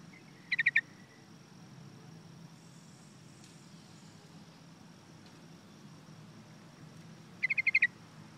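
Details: Yellow-vented bulbul, locally called pirok pirok or parago: two brief bursts of rapid chattering notes, about four to five quick notes each, separated by a long quiet gap with faint background hiss.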